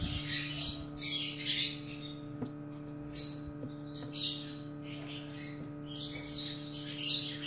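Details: Cockatiel calls recorded at a nest on 15 August 2018 while a chick hatches and is stuck in its egg: rough, hissing, broadband bursts in irregular clusters, with a steady low electrical hum and a few soft clicks underneath.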